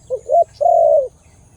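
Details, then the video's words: A loud-voiced Khmer dove calls: two quick rising introductory notes followed by a single drawn-out low coo lasting about half a second, clean with a soft hum behind. "The sound of Khmer Dove and big sound / លលកខ្មែរសម្លេងធំ"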